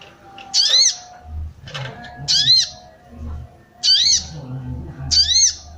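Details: Female sooty-headed bulbul calling to arouse males: four short, harsh, arched squawk notes at uneven intervals of roughly one to two seconds, over a low hum and faint rustling.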